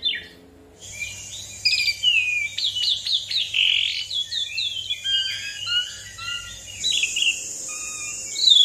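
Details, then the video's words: Asian pied starling lure song to start other birds singing: a busy jumble of short whistles, chirps and slurred notes, steady throughout with a faint high hiss behind. "Jalak Suren gacor Ngeroll Panjang Pancingan Dan Masteran Jalak Suren Bikin Cepat Bunyi"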